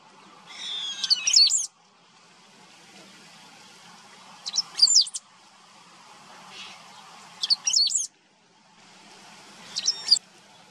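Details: Great pampa-finch singing in Maldonado river estuary wetlands, Maldonado, Uruguay, September 2022: four short, high, buzzy-whistled phrases about every three seconds, over a faint low background hum.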